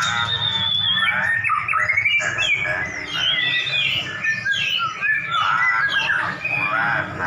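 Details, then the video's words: Dueling white-rumped shamas, two prize-winning birds brought face to face, pour out dense, overlapping whistles, sweeping slurs and quick chattering runs, with a constant low background hum. "Murai Batu Kamu Langsung Nyaut‼️Duel Murai Batu Jawara"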